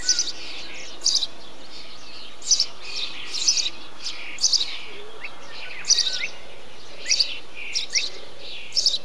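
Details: Insistent chirping from a Eurasian tree sparrow in a bee-eater colony: loud, rasping notes in pairs and triplets, closely repeated, with a few softer rising whistles from other birds.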